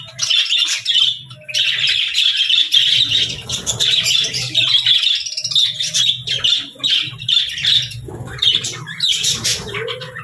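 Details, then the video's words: Morning budgerigar chirping: steady, high warbling chatter with rapid scratchy notes running almost without pause, over a low background hum. "Morning Budgie Sounds 🦜💕 | Bird Chirping Sound for Relaxation"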